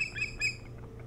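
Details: Osprey at its nest on Hog Island near Bremen, Maine, on a nest camera, 3 July 2018, around dawn: a short, loud, harsh squawking whistle in two bursts, rich in overtones, over a steady low electrical hum.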